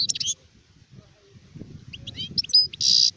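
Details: Adult European goldfinch giving brief fragments of high chattering song, ending in a harsh buzzy note, with low murmuring background noise throughout.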